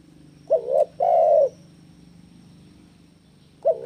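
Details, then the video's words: Spotted dove song for luring and training doves: one phrase of a brief wavering coo and a fuller sustained coo, then a pause and the start of the next phrase, with a faint low hum throughout. "Masteran Burung TEKUKUR Gacor - AMPUH Pancing Tekukur Bunyi"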